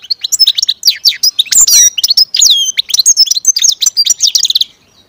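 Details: A captive-bred European goldfinch sings a fast, tinkling run of high, liquid twitters and buzzy trills, tumbling on almost without pause for five seconds.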